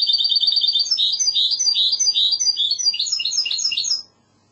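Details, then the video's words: Goldfinch hybrid in the classic Andalusian song style, singing a fast high twittering run of repeated chirps and buzzy trills that stops after about four seconds. "CANTO MIXTO PEPEGRANADA تغريد هجين الحسون الإسباني"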